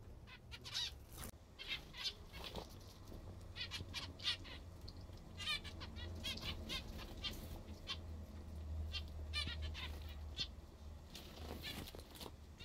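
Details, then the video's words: Captive zebra finches eating their favourite food give many short, nasal, buzzy beeping calls in quick irregular bursts over a steady low hum. "mandarins (zebras finch) a comerem o que adoram"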